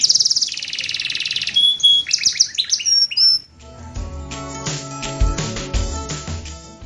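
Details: A champion canary named "Ultramen" sings rapid, high buzzy trills, then clear slurred whistles and chirps, filled with song phrases learned from the sanger bird. Music takes over for the second half.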